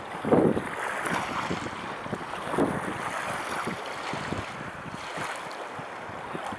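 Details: At the Blaues Wunder in Dresden, gusty wind buffets the microphone over lapping water and boat noise, with no animal voice.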